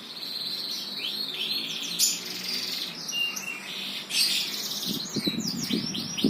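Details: Bird song of high quick chirps and slurred whistles over steady background hiss, with some low thumping knocks toward the end.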